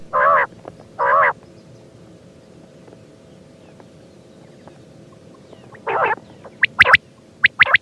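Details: Quail calling: two harsh, nasal buzzy notes near the start, a long pause, then another buzzy note followed by sharp, clipped high pips in quick groups toward the end.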